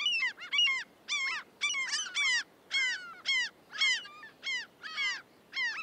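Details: A common gull (Larus canus) in the UK gives a rapid run of high, squealing, nasal calls, roughly two a second, some doubled or slurred, over faint background hiss.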